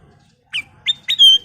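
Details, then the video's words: Ruby-throated bulbul, from full-song lure recordings: three short, bright, slurred whistles, each falling slightly, the last one drawn out, in a quiet setting. "Kicau Burung Kutilang Emas full isian"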